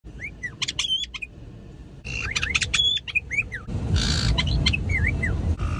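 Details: Caique parrots in a forest giving loud, sharp whistled and screechy calls in quick bursts, some notes sliding up and down, with rustling and wind-like noise in the background.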